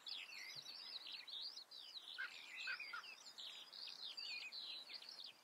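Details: Common redstart pouring out an unbroken, high, jangling twitter of short swept notes, with a few soft lower chirps mixed in near the middle and steady faint hiss behind.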